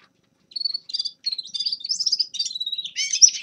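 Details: Grey-crowned goldfinch singing a clear sequence of short, high whistled and twittered notes that speed up and end in a brighter, busier flourish.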